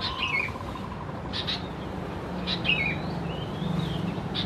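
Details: Sooty-headed bulbul chicks (Pycnonotus aurigaster thais) at Khao Yoi, Phetchaburi, Thailand, in June: short downslurred chirping notes with a few thin whistles, against steady low rumbling background noise.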